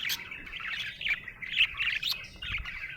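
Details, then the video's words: Cheerful budgie chatter: a continuous, scratchy warble of high chirps and trills with a few sharp clicks, running without a break. "Happy budgie chirping sound"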